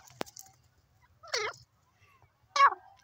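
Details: Grey francolin call in a forest: two loud, clear, harmonic notes with a bending pitch, about a second apart, after a sharp click.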